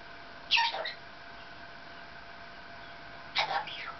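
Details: Indoor pet Maximilian's pionus chatting with its owner while they wait for a delivery; two short, sharp chirpy bursts about three seconds apart, each dropping quickly in pitch, over a faint room hum.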